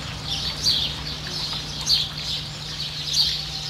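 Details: Variable oystercatcher accompanied by a chick in New Zealand: three loud, clear, high piping notes spaced evenly about a second apart, with a low steady hum underneath.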